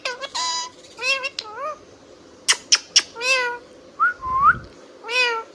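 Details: An Indian ringneck parrot chirps and whistles, mixing rich warbling notes that dip and swoop with three sharp ticking clicks and a thin rising whistle before more wavy chatter.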